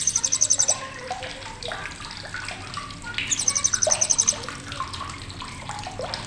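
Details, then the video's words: Blue-crowned hanging parrot with sharp chattering: two high, rapidly pulsed bursts, one at the start and one near the middle, each about a second long, with rushing water-like background and scattered lower chirps. "CRECETAN TAJAM BURUNG SRINDIT"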